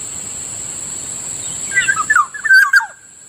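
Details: Black-naped oriole (Kikiyaw in Bicol) at a rice field in the morning: a rolling series of liquid, slurred whistles over about a second, louder toward the end, with a high insect drone underneath.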